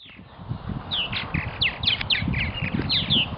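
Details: Purple martins at a nesting colony in Melbourne, Florida, calling after a brief quiet start: a run of high, sharp, sliding chirps and gurgling notes, several overlapping, over soft low rumbling.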